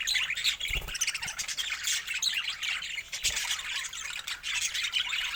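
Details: Budgerigars chatter continuously with bright, scratchy chirps and warbled squeaks, broken by a couple of dull knocks.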